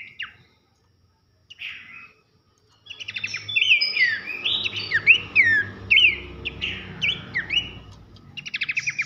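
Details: Horsfield's babbler, pelanduk semak, singing a tutor song for contest birds: a few scattered notes, then a dense run of rapid whistles and chattering trills from about three seconds on, amid low rumbling noise.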